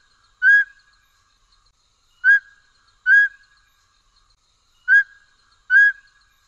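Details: A Mountain Scops Owl of the Taiwan endemic subspecies Otus spilocephalus hambroecki, a bird of dense mid- and low-altitude woods, gives clear mid-pitched whistled hoots: five notes in about six seconds, some paired close together, against a quiet background.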